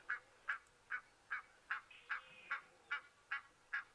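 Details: Egyptian geese on safari on 5 January 2023, after rain, give a steady series of short, harsh honks, about two or three each second, with a fainter higher bird call, possibly lapwings, in the background.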